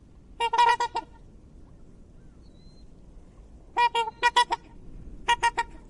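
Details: Swan calling in three separate bursts of clipped, resonant, nasal honks, four or five notes per burst with long silent gaps between, against faint background hiss.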